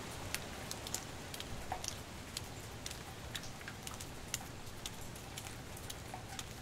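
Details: Water drips and patters steadily onto a farmhouse porch in the rain, with sharp irregular drops over a soft constant hiss.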